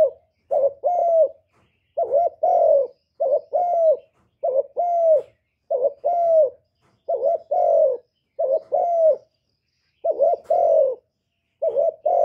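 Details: Spotted dove giving calling, urging and cooing calls: soft, mellow hooted coos in short two- to three-note phrases, repeated steadily about every second with brief silent gaps, a clean recording with no other sounds.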